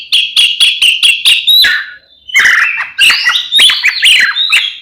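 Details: Fighting song of an Oriental magpie-robin, used to rile other magpie-robins; a quick series of about six rhythmic chattering notes, then varied whistled slides and scratchy phrases.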